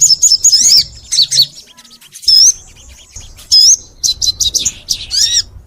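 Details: Crimson sunbird, known locally as sogon, in long, lively song. Piercing high whistles slur and waver, mixed with short buzzy chirps, broken into separate phrases with brief pauses between them.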